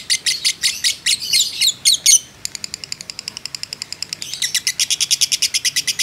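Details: Lovebird of the fighter type used as a training model, its long ngekek starting with loud, harsh, jumbled squeaks, then switching to a quick train of short, clipped chattering notes that grow stronger toward the end.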